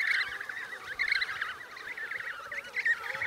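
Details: Emperor penguin chicks eating snow for water in Antarctica give a dense stream of shrill, quavering whistles that ripple and trill, several calls overlapping at once.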